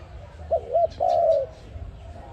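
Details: Single phrase of an ARIMIX dove, used to lure birds into a trap: two quick arched hoots then one sustained, slightly falling coo lasting about half a second.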